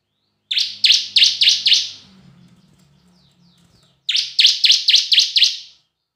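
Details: Lure song of the bar-winged prinia in semi and kristal style: five sharp high chirps, a faint low hum in the pause, then five more rapid, ringing notes.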